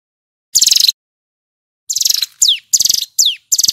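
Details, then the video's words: Male hill prinia in vigorous song: buzzy, rapid high trill bursts alternating with sharp descending whistled slurs, delivered in short spaced phrases with clean silent gaps and no other sounds. "Suara ciblek gunung GACOR"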